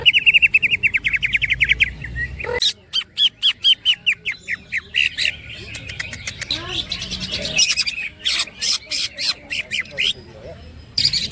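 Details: Greater green leafbird (cucak ijo) singing in a rolling style with woodpecker-like imitation: rapid trains of short rising whistled notes, then sharp broadband clicking bursts and chattering phrases, strong and continuous throughout.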